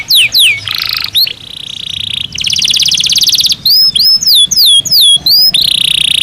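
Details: A canary kept in a cage sings during breeding season, mixing falling whistles, a steady buzzy tone, a fast high rattle and looping slurred phrases, closing on another sustained buzzy trill.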